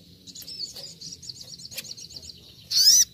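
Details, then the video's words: Little spiderhunter in a wild-style 'nembak' training recording: a soft, fast series of high ticking notes, then one loud, sharp, rising high call. "masteran sogon nembak nembak seperti di alam liar"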